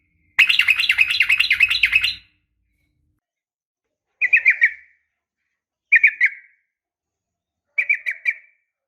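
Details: Morning calling of a female sooty-headed bulbul that draws males. A dense, wavering bubbly phrase lasts nearly two seconds, followed by three short clusters of quick chirps spaced two seconds apart in silence.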